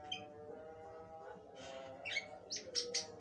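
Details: Chattering Javan myna song, mostly quiet at first, then a cluster of loud harsh rasping bursts and a brief whistle near the end over a constant low tonal drone.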